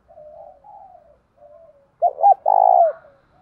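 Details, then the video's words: Spotted dove used as a decoy to lure wild doves, said to have a fine 'thổ đồng' voice: several soft low coos, then a loud phrase of two short hooked notes and a long, steady, slightly falling coo. "Chim Cu Mồi Kích Bổi Nhanh Nổi Hiệu Quả"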